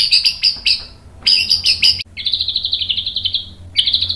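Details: White-rumped shama in a masteran recording meant to provoke other shamas into singing: high buzzy chattering bursts in quick groups, then a long rapid rattling trill and a brief final burst.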